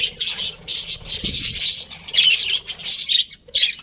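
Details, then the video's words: ['Many budgies in a colony chirp and squawk in fast, overlapping high notes, with a short soft low noise partway through.'] "Colourful Budgies Chirping Sounds"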